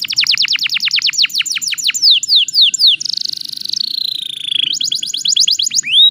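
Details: Canary singing to stir rivals into answering song: quick repeated high downsweeping notes, roughly four per second, then a buzzy rolling tour sliding gradually lower, followed by renewed fast downslurs and a closing whistle.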